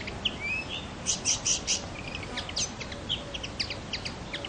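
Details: Common linnet song: a lively run of short, high chirps and twittering notes, some in quick clusters, with a brief rising whistle near the start, over a soft background hiss.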